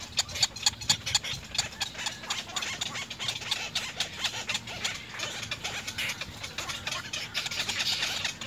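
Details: Little egret nestlings begging adults for food. A dense, uneven chatter of sharp clicking notes runs throughout, with a faint raspy wash in the second half.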